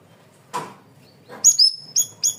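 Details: Cream-vented bulbul (cucak rawis, bayeman) singing loudly and clearly for cage-bird training: two soft rustling bursts, then four sharp, high whistled notes, the first pair close together and the last two evenly spaced.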